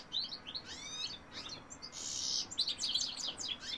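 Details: Singing male European goldfinch, 2018: falling slurred whistles and twitters, then a harsh, buzzy wheeze, followed by a burst of bright tinkling notes.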